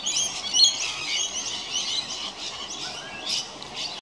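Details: Rainbow lorikeets bathe in a house gutter late on a hot summer's day, a flock keeping up a steady chatter of high, harsh screeches and twittering chirps.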